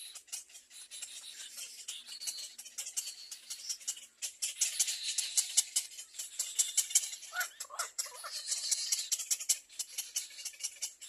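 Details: A Little Egret chick, loudly biting at its mother's bill, gives a fast, dry, rattling chatter of rasping clicks, about two or three a second, rising and falling in bursts.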